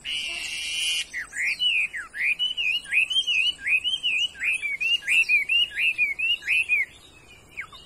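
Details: Singing Chinese hwamei, a good-voiced 'đảo' bird for sale, opening with a harsh burst, then a long string of rich wavering whistles repeated about twice per second, ending in a falling note.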